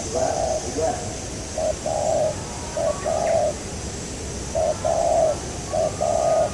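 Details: Spotted dove heard during an outing to catch a local wild dove. It gives short, hollow coo phrases in pairs with pauses between, over a noisy outdoor background with faint chirps.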